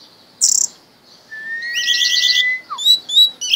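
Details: Orange-headed thrush, a hand-raised pet, in full 'mabok' song: a buzzy high trill, then a long rising whistle under a scratchy warble, ending in quick high whistled notes.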